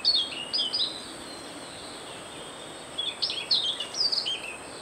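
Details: Siberian rubythroat (Calliope calliope), call.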